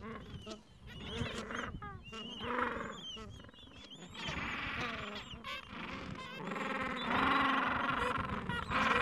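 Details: Adult gentoo penguins with two-to-three-week-old chicks at nests, edge of a Falkland Islands colony, mild afternoon; clipped rising calls lead into sustained, loud, raspy braying from many birds that swells toward the end.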